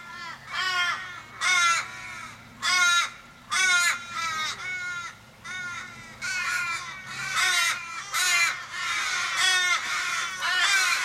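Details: In Kellyville, Sydney, on 1 July 2012, a flock of Australian ravens gathers in distress over a raven struggling in the road, possibly car-struck; repeated harsh, drawn-out caws with downward-bending tails, about one a second, later overlapping.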